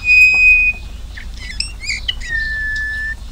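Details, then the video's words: Eurasian bullfinch recording: soft, plain piping whistles, a long level note, then brief twittering, then another long steady whistle a little lower in pitch. "Ahí podéis escuchar al camachuelo."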